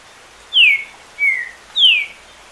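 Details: Green-winged saltator singing over more than 10 songs a minute with rain in the background, giving three clear, loud whistles, each sliding downward, spaced about half a second apart, over a faint steady hiss.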